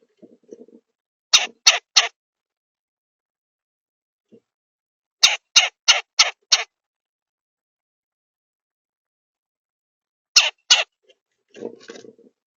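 Red-bellied woodpecker giving harsh, scratchy notes in quick bursts of two to five, with long pauses between; faint low rustling at the start and end.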